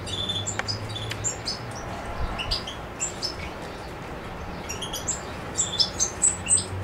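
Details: European goldfinch, Macedonia, 7 July 2011: bursts of high twittering with quieter gaps, becoming livelier toward the end, over a low steady hum.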